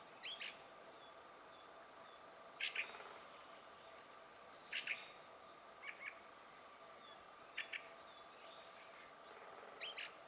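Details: Fieldfare singing, recorded with a Sony HDR-PJ10E camcorder: scattered short, squeaky, chattering notes every one to two seconds, distant over a steady background hiss.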